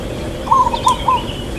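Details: Local zebra dove singing in a long-kuk, 'irama lelah' style: three clear, low cooing notes in quick succession, the first longest, with faint background noise.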